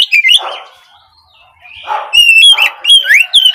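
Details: Oriental magpie-robin song for the morning, meant to coax untrained 'trotol' birds into singing: whistled slurred notes broken by softer harsh bursts, then a run of bright rising and falling whistles.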